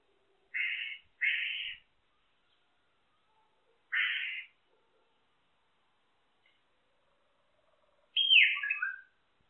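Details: Solitary cacique uttering three short harsh rasping squawks, then a longer scratchy phrase that slides downward.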